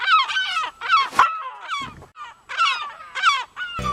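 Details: Heuglin's Gull (Siberian Gull), an uncommon seabird recorded at Colombo Port City, Sri Lanka, gives harsh, nasal yelping calls in rapid bursts of several falling notes, repeated about every second, ending with a short scrape of noise.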